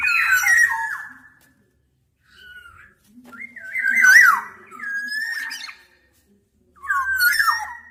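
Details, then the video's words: Black-naped oriole producing repeated fluty whistled phrases, each looping and dipping, in four bursts with short gaps; soft low hum in the background. "Tiếng chim Vàng anh Gáy đen/ VA Trung Quốc ✅Black-naped Oriole(Oriolus chinensis)"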